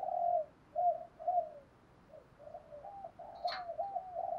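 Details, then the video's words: Decoy spotted dove cooing to provoke wild doves, a string of soft, hollow, muffled coos over steady background hiss, with a brief sharp click in the middle. "chim cu gáy Mồi bài bản giúp bổi nhanh nổi/ cu gáy kích bổi"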